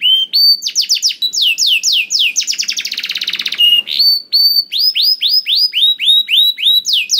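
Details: Canary song used to prompt other canaries to sing: loud whistled downslurred notes repeated in quick runs, switching to a fast rattling trill midway, then more sweeping whistles in rhythmic series, with a clean quiet background.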